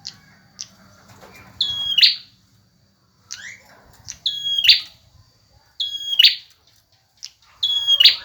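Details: Singing male bar-winged prinia: short high introductory notes, then a level whistle ending in a loud, buzzy rattle, repeated four times about every two seconds in quiet surroundings.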